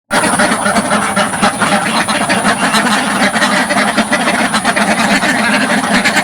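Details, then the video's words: Dozens of farm ducks quacking loudly right at the front of a pen in a village, recorded close up with no filter; dense, overlapping harsh quacks form a continuous rough chorus with a steady high hiss. "LOUD Duck Sounds from the Front of the Pen"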